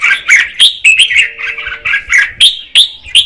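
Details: Singing to stimulate the male, a female red-whiskered bulbul gives a steady string of loud, rounded whistled notes, roughly three or four a second, each a short upward flick.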